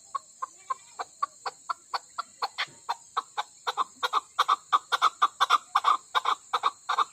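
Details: Female chukar partridge from Pakistan starts with evenly spaced single clucks, then speeds into a louder, denser run of chuck notes over seven seconds, a constant electrical hum running underneath.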